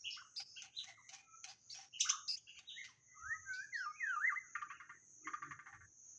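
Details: White-rumped shama lure song: sharp clipped notes at first, then a sliding zig-zag whistled phrase and two buzzy trilled bursts. The song is fairly quiet throughout.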